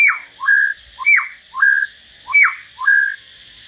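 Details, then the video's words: Hill myna in a solo singing session with a white-rumped shama, giving a steady run of loud whistles, each a steep downward slur followed by a short rising note held level, repeated roughly three times in under four seconds. "Chim nhồng và choè lửa hót solo"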